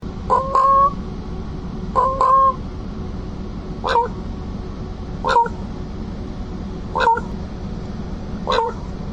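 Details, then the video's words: Black raven imitating a diesel locomotive whistle gives six short, flat, horn-like hoots about every one and a half seconds, the first two doubled. A low hum continues underneath, and a man's voice follows in Russian. "Smart black raven makes sounds of a diesel locomotive"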